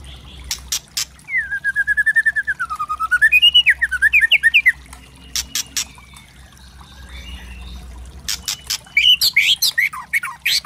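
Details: Murai trotol, a white-rumped shama, in loud kretekan variation used to rile up other birds. A wavering whistled phrase gives way to quick trills, then a pause, scattered crisp clicks and a final burst of jumbled notes.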